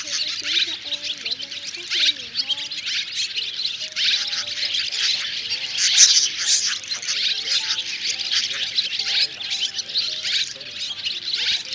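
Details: Roosting calls from three swiftlet kinds, white-bellied, banded and grey-brown, meant to gather the whole flock into a thicket, 2024: steady rich high twittering chorus peaking around the middle, with faint lower sustained tones.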